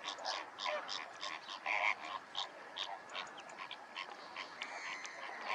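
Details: Greater flamingo (Phoenicopterus roseus), flock calls.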